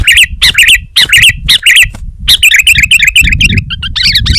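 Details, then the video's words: Sooty-headed bulbul in vigorous song, loud bubbly looping phrases repeated about twice a second, turning into a quick jumble of chattering notes near the end. "Suara Burung Kutilang Gacor"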